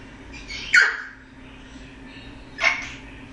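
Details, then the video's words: A male eclectus parrot in foster care producing odd noises: two short rough squawks with a slight rising-falling tone, about two seconds apart, over a faint indoor hum. "Juno's Funny Sounds"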